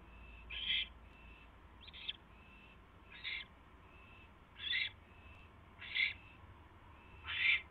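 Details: Owl at night, 24 January 2016 at 8:34 PM, as the male brings his mate a third mouse; six harsh, hissing screeches at irregular intervals, with faint thin tonal notes between them over a low background hum.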